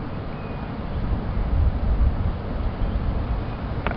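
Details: A vehicle engine rumbles steadily at low pitch, with gusts of wind on the microphone and a few faint clicks near the end.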